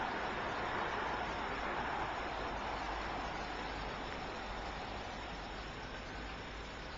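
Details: Steady broadband rushing noise, like wind or running water, fills the recording with no animal calls.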